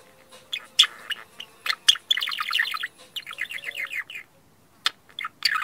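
Parakeets chirp in quick, bright bursts, with rapid runs of high, clipped notes between sharp single chirps.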